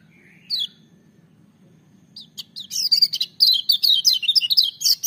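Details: Lemon-bellied white-eye song, loud and ringing: one thin rising whistle, a gap, then an accelerating string of sharp, very high chirps and rapid slurred notes, roughly two per second, building into dense twittering.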